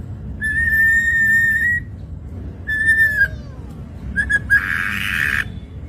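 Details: Ashy drongo song recorded as training material for songbirds: long, flat, clear whistles, a shorter whistle with a falling slur, brief chirps, then a buzzy rasping burst.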